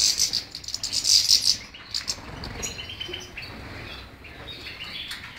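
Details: European goldfinch singing, a bright twittering run of rapid high chirps and trills packed into the opening second and a half, then softer scattered twitters and faint rustling.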